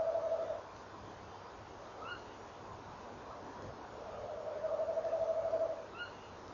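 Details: Tawny owl pair at 06:45, 18 November 2013. The tail of one low rolled trill from the male is followed by short, sharp, rising answering calls from the female, then another wavering trill about a second long.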